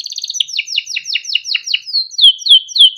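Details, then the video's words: Yellow Timbrado canary song: quick trill leading into a series of descending chirped notes, then clear rising-falling whistles repeated about three per second. "Yellow canary singing video Timbrado canary singing beautiful melodic songs"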